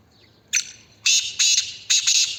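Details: Black francolin calling: a series of loud, harsh, rasping bursts, one short note followed by three longer grating syllables in quick succession over about two seconds, with a quiet background.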